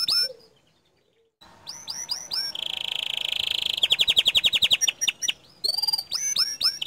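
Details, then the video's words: Loud canary song used to stir other canaries into singing: sharp sweeping whistles, a long steady rolled trill, a fast stuttering trill, then more quick downslurred notes, with a faint hiss throughout. "Kicau Kenari Gacor Dor"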